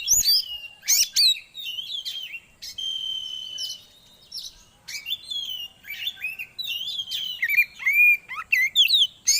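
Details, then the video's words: Oriental magpie-robin song played as a lure to bring birds quickly into breeding condition: a rapid, varied run of high whistles, sharp upslurred and downslurred notes and brief buzzy trills, delivered in short bursts with tiny pauses. "Pancingan Suara Burung Kacer atau Poci Biar Cepat Birahi"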